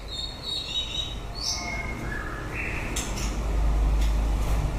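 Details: White-rumped shama, Copsychus malabaricus, singing as the breeding season ends. High warbled whistles come first, then a sharp upslurred note and lower falling whistles, over a deep background hum.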